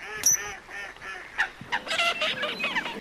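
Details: Coot giving a series of short, evenly spaced nasal honks, followed by a denser jumble of louder overlapping calls from several waterbirds, with a high squeak near the start.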